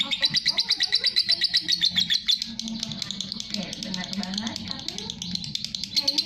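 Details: Lovebird in long 'ngekek' chatter for bird tutoring: a fast run of high, scratchy chirps for about two seconds, then a looser, softer patch, then the rapid chirping resumes briefly at the end, with low murmuring underneath.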